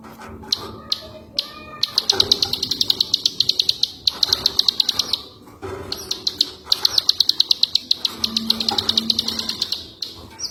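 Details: Ciwah song recorded as training material for other songbirds: long runs of sharp, high, rapid ticking notes, several per second, in bursts broken by short pauses and a few lower clicks.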